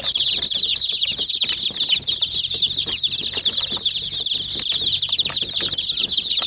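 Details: Young chickens pecking at a miniature jeep toy, giving an unbroken wash of thin, piercing peeps from many birds at once, with tapping sounds scattered through.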